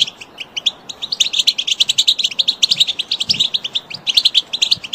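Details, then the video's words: European goldfinch calls offered for training and motivating other birds: a dense, lively stream of short, bright twittering chirps, rapid and uneven, continuing throughout with hardly a pause, over a faint low background hiss. "Direct goldfinch calls"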